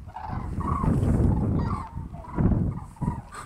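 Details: Migrating flock of Common cranes, Strabrechtse heide, 5 March 2013: four or five short trumpeting calls spaced under a second apart, ringing above deep wind noise.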